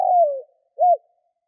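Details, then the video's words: Spotted dove cooing to lure wild doves: a long coo gliding downward, followed by one short rounded coo. "Chim cu gáy kích bổi nhanh nổi"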